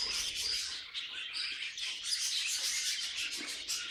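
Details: Group of caged budgerigars warbling nonstop, a thick mix of rapid chirps, buzzy squeaks and whistled bits with no pauses.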